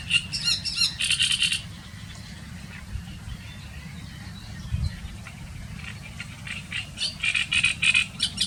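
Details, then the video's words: Reed-bed great reed warbler singing its very loud, harsh, croaking, rattling song: a dense burst of grating syllables opens, a quieter stretch follows, then another rapid series of rough, chattering notes closes. "śpiew Trzciniaka"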